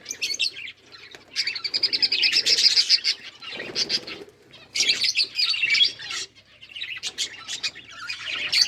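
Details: Budgerigars chattering while eating green food, with long runs of rapid, buzzy high chirping broken by short quiet gaps and soft rustles.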